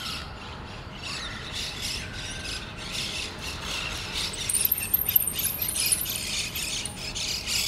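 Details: Colony of monk parakeets at their shared nest at Pasir Ris Park: grating, ratchet-like squawks repeated rapidly, with a run of thin high chirps midway and a constant low outdoor rumble.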